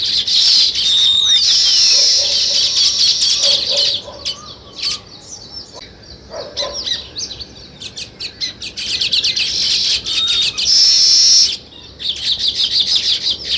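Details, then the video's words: Sparrows in a flock keep up bursts of lively high chirping that fade into scattered single notes and then swell back into a dense chorus. "Sparrow Chirping"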